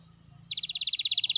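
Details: Gacor canary song to prompt other canaries to sing: after a faint low hum, a sudden bright, very fast trill of identical high notes, about fifteen per second.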